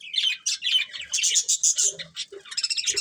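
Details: Budgerigars of a breeding pair chirping loudly: fast, scratchy squeaks and bright warbled notes, with rapid ticking chatter toward the end.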